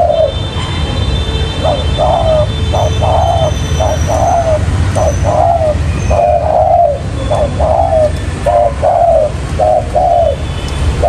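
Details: Spotted dove used as a trapping decoy, cooing in a long run of soft, low paired notes, the longer note gently falling, about one phrase per second, with faint higher chirps and steady background rumble.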